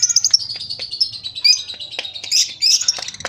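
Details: Lovebird giving a short ngekek, a chattering song style; continuous shrill, rapid high chatter with buzzy twitters and sharp clicks, loud throughout, with a faint low hum underneath.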